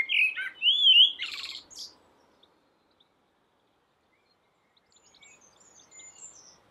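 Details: A common blackbird singing from a roof: one mellow, fluty warbled phrase ending in a squeaky twitter, then quiet before faint, thin high notes.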